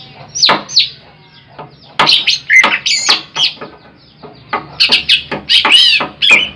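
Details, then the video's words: Jumbo greater green leafbird with a master song for luring birds: bursts of varied, loud, high whistles, chirps and buzzy slurs, separated by brief pauses, each phrase changing in pitch and shape. "Burung cucak ijo BIG,ijo jumbo,masteran cocok untuK Mikat."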